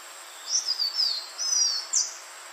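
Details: Green iora, played to lure birds: a short run of high descending whistles, a longer flat whistle, then a sharp upslurred note, with faint hiss.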